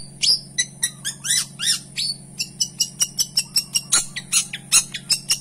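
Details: Gacor song of a long-tailed shrike with rich fill-in: sharp descending whistles and clicks repeated almost three times a second, a mix of crisp and buzzy notes, over a constant low hum.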